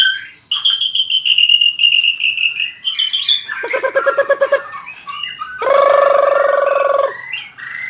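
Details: White-rumped shama fighting song for training: a long steady whistle, then stuttering clicks, a rapid pulsed buzzy series and a loud harsh rasping burst before short closing notes.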